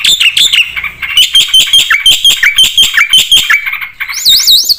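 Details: Black-winged starling singing energetically with varied fill-in phrases. Harsh clipped notes rattle out about three per second, mixed with slurred downward whistles, ending in a looping high warbled whistle.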